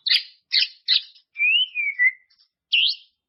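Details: White-rumped shama song played to train caged birds: three harsh rasping notes, then a smooth rising and falling whistle and a final looping whistled phrase.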